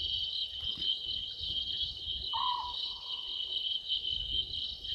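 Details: Night recording from Gowrie dam, Sabi Sand Wildtuin, South Africa, 11/12/2023 at 00:38: a small owlet in a tree utters a lone short falling call with a drawn-out faint end, crickets buzzing steadily throughout.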